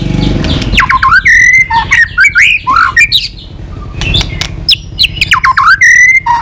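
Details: White-rumped shama singing continuously with 'tạch' notes, a rousing song used to stir up shamas low in fighting spirit, bird flicking its tail. Loud whistled phrases rise and fall, mixed with harsh buzzy rasping notes, a short pause midway, low hum beneath.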